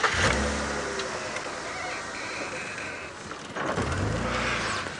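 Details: A safari vehicle idles and moves with a brief power-window whir and engine rumble at sunrise, with no animal calls.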